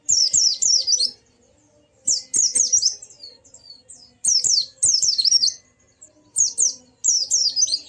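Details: High white-eye song used to provoke a quiet bird into singing. Fast twittering phrases of thin, wavering notes come in bursts roughly every second or two, with short silences between them.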